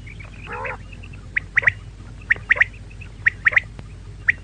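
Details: Female quail calling: short, sharp high chirps in pairs and threes, one nasal, wavering squawk near the start, and faint low background hum.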